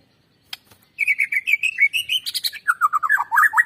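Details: White-rumped shama in full song, used to draw out singing in other birds: after a click, a steady run of bright, evenly repeated whistles rising slightly in pitch, then lower, rapidly descending warbled notes.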